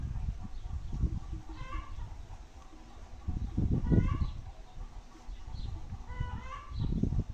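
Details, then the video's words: Free-range chicken outdoors in a rural setting: three bursts of stacked, upward-sweeping calls a couple of seconds apart, with heavy low-pitched thumping and rumbling noise beneath. "galinha caipira"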